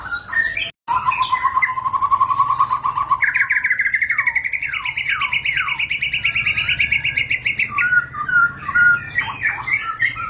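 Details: Long ngerol roll from a white-rumped shama: a fast, steady trill on one low note, jumping to a higher sustained rattle with a few swooping whistles, then ending in varied chirpy phrases.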